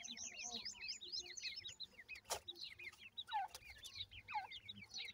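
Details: A crowd of young francolin chicks keeps up continuous shrill cheeping, each note a quick falling slur, many birds overlapping, with one sharp click midway.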